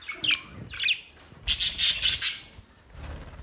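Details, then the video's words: Australian budgies chirping indoors: short bright chirps near the start, then a burst of rapid scratchy warbled notes in the middle, fading to quiet. "Beautiful Australian birds chirping sounds Beautiful Australian Budgies birds talking"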